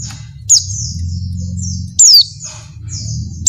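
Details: Breeding female Oriental white-eye calling to a male: two strong, very high, downslurred notes about one and a half seconds apart, each followed by thinner trailing notes, above a low hum.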